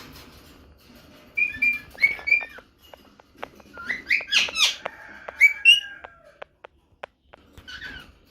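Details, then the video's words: Female rose-ringed parakeet call that drives the male to search everywhere for her: bursts of high whistled and chirping notes, some rising and falling, mixed with sharp clicks and taps, in irregular groups. "هذا الصوت يجعل ذكر ببغاء الدرة مجنون ويبحث عن الصوت"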